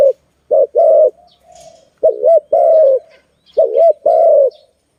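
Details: Zebra dove during bird trapping delivers clear coo pairs, a wavering short note leading into a sustained falling one, repeated roughly every one and a half seconds; quiet high bird chirps behind.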